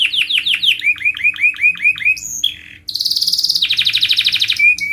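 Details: Canary singing in strong form as a lure song: a series of quick downslurred chirps about three per second, a short whistled note, then a long high rattling trill.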